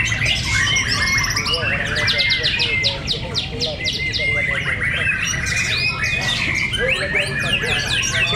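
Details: White-rumped shama fighters in a fierce contest at Cibinong deliver rapid strings of sharp, high chipping notes, about four per second, mixed with whistled phrases and a low rumbling background.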